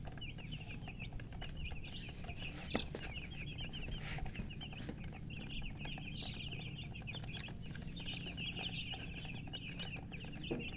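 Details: Newborn chicks calling in a sustained chorus of high, thin, downward-slurred peeps, steady and overlapping throughout, with a few sharp clicks and a persistent low-frequency hum.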